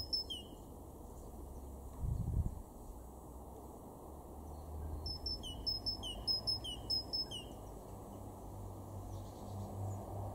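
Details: Great tit calling in a garden at Weener, East Frisia, northwestern Germany, in March 2023; a brief high note opens, then a run of paired high and lower notes repeated rapidly midway, with a low thump and constant rumble.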